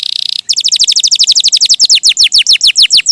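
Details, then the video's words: Canary singing merdu: a short dense buzzy trill, then a brisk series of downslurred whistled notes that slows slightly toward the end. "Suara Burung Kenari!!! GACOR MERDU"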